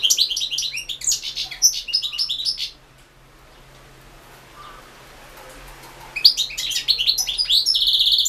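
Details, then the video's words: European goldfinch singing for the 2016 World Championship in Goldfinch Song, an internet contest. A dense, rapid stream of high twittering and chirping notes runs for nearly three seconds, pauses, then resumes with a fast, jangling run ending in a buzzy note. "Pesma štiglića 010/ 2016 Milan Mladenović World championship in Goldfinch Song 2"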